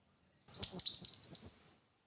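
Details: Jingjing batu (black-winged flycatcher-shrike) giving one high, thin trill of about nine rapid, slightly wavering notes lasting about a second, clean and close with no other sounds.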